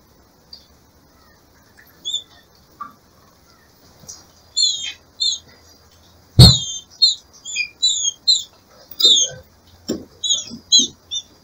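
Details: Female green-winged saltator kept by a breeder, calling in breeding season to excite the male: scattered high chirps build into a rapid run of short, slurred notes, with a loud knock and soft thumps from the cage.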